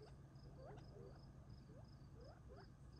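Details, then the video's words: Feeding flock of Gambel's quail on rural property near Tularosa Creek, July, before nightfall; scattered upward-sweeping chirps, some paired, come every half second or so, backed by a rhythmic high insect drone and low hum. "Gambel’s Quail feeding"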